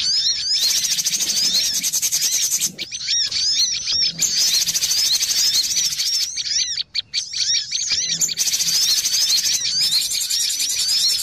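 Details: Noisy cinereous tit lure chorus for trapping: a continuous dense band of high buzzy chatter, broken by clusters of curved, downslurred chirps and a few short pauses.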